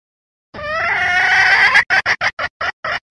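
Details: Wild red junglefowl hen call used as a trapping lure to draw wild roosters: one long drawn, strained note followed by a quick string of seven short clucks.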